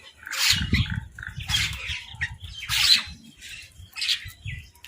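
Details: Crows fight over food, uttering hoarse, noisy squawks about once per second, along with low rustling and thumping that may be the birds scuffling.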